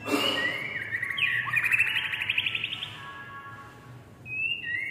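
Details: A tame Oriental magpie-robin sings a rich, varied phrase of whistles, slurred notes and a quick rattling trill, ending on a clear high whistle.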